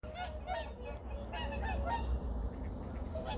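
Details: Early morning at Junam Reservoir, Changwon, 2019: a flock of migratory waterbirds gives nasal, goose-like honks, several voices overlapping about three times a second, over a steady low rumble of wind.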